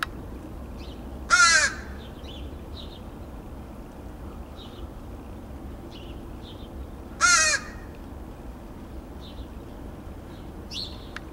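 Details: Two backyard crows in Edmonton, Alberta, Canada, recorded on 28 August 2012, one going grey: two loud harsh caws about six seconds apart, with faint softer calls between, over low steady background noise.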